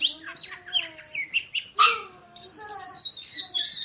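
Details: Oriental magpie-robin in 'tembakan' song style: varied whistles and a loud harsh burst midway, followed by a long, steady high whistled note and quicker chirps.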